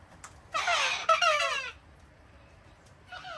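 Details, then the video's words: Wild cockatoos being hand-fed on a deck in Australia during cold, wet winter weather squawk in a harsh, rasping burst of about a second, falling in pitch, then a shorter squawk begins near the end. "Wild Cockatoos Take Over My Australian Home! | Feeding Mayhem!"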